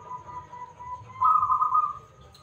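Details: A local zebra dove with a big voice, singing as a lure for other birds, gives faint low cooing notes and then one loud, smooth, slightly trilled coo phrase.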